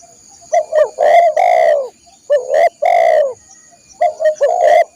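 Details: Spotted dove singing, a recording meant for training caged birds: three rhythmic phrases, each a couple of quick low coos leading into one or two longer, slightly falling coos. A steady insect drone sounds behind.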